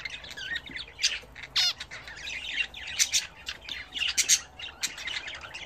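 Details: Pet budgerigars during a bath give scratchy squawks and a sharp descending whistle among fast twittering chatter, with sudden loud chirps toward the end.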